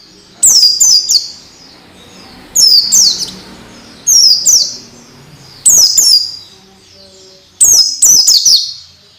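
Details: Orange-headed thrush training song for young birds, intended to bring on quick, frequent singing: five evenly spaced bursts, roughly every one and a half to two seconds, each two or three shrill downward-sweeping chirps, faint background hiss.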